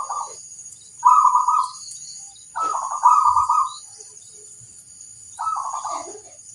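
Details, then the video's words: Zebra dove of local stock singing loudly as a master recording to prompt answers: four rippling, purring coo phrases around one kilohertz, the middle pair close together, over a steady hiss. "suara sang masteran burung perkutut - lokal memanggil"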